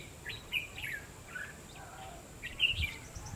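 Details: Red-whiskered bulbul recorded on 22 February 2016 during trapping with a decoy bird. Short chirpy, warbled phrases of a few notes each, with a louder burst near the end over faint background hiss.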